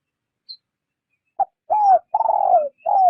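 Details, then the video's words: Spotted dove used as a trapping lure, cooing gently in rút bokyle rút bổi fashion: a brief clipped note, then three fuller coos, the middle one longest and slurring down, all at the same low pitch. "Tiếng chim gáy mồi rút bổi nhẹ nhàng"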